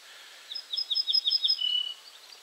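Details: Ortolan bunting singing at Julków, 3 June 2017: about six clear, high, evenly spaced notes, then a lower, drawn-out closing note, with faint background hiss.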